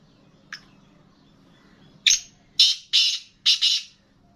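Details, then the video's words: Caged black francolin (kala teetar) offered for sale, giving a harsh, rasping call: one faint short note, then four loud grating bursts in quick succession, the last doubled, over a quiet indoor background. "Black Franclion Voice Kala Teetar ki Awaz"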